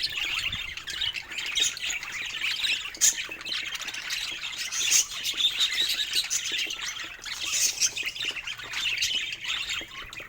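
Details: Pet budgies enjoying new toys keep up a long, lively warbling chatter, rasping and chirpy, rising and falling in loudness throughout.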